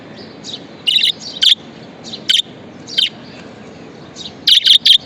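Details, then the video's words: Happy pet budgerigar chattering: soft warbled notes mixed with louder harsh chirps, ending in a quick run of three. "Happiness Budgie"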